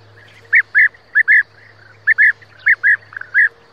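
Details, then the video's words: A European bee-eater gives rolling, liquid "prruip" calls, often in quick pairs, about ten in under four seconds, over a faint low hum. "European Bee-eater sound / صوت الوروار الاوروبي"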